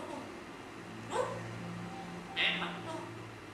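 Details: Grey parrot giving two short calls: first a thin, rising squeaky whistle, then a second, louder harsh squawk about a second later, over a faint low hum.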